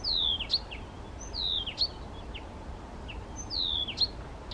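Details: Male Blyth's reed warbler singing spontaneously without playback by Bukovský pond near Těchařovice, Czech Republic, on 19 June 2014, the country's first record; loud, clear whistled phrases slide downward, repeated roughly every one and a half seconds, with sharp ticks between.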